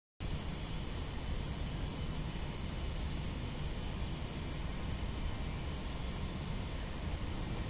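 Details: A dense, roaring aircraft-like rumble fills the early-morning air from start to end, with no animal calls heard.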